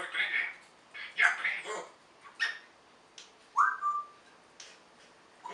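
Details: Pet African grey parrot imitating speech: several short, word-like bursts, then one clear whistled note that starts by sliding up and holds steady, with quiet pauses between sounds.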